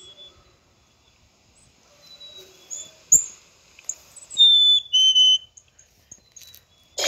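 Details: A single two-part whistle from a black-capped chickadee, a bright high tone stepping down to a lower one, amid scattered faint chirps and a sharp knock near the end.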